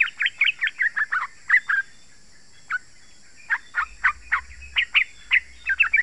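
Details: Yellow-vented bulbul song for luring wild birds in forest or garden: a rapid run of sharp bubbly notes, a pause, then spaced chirps, with a faint low rumble in the second half.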